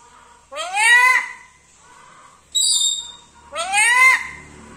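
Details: Black-capped lory with a sweet voice, talking for the first time: two drawn-out, nasal, speech-like phrases that rise and fall, with a brief shrill whistle between them.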